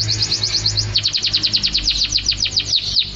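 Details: Rapid canary trill recorded as a masteran for training songbirds: a continuous run of quick high notes, roughly seven per second, each note dropping slightly in pitch, with a faint low hum beneath.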